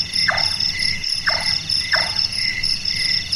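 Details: Burung tukang, the large-tailed nightjar, calling at night with a sound likened to carpentry. Three evenly spaced knocking notes about 0.7 seconds apart ring over continuous buzzing insects.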